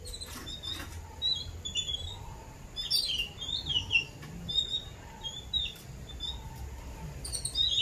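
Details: Caged babbler chicks outdoors being fed by adults of their kind: scattered high chirps and short squeaky twitters with gaps between them, plus faint lower notes and some background rustle.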